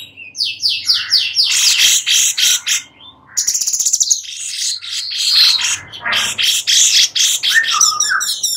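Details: Sooty-headed bulbul singing a long, varied run of quick high chirps, rattling trills and scratchy bursts, with brief pauses between packed phrases; used as song material for white-rumped shamas.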